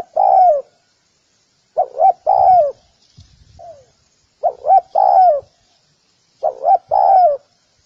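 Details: Spotted dove call meant for dove training: four phrases, each two quick hooting notes followed by a drawn-out descending coo. Spaced about two seconds apart, with a faint low murmur in one gap.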